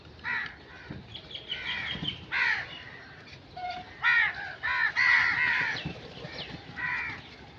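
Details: Harsh crow caws, some drawn out and some clipped, come in an irregular series, loudest toward the middle, against faint outdoor ambience.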